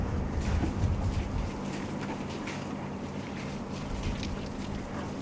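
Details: Steady wind buffeting and a low engine rumble fill the recording, with no animal voice standing out.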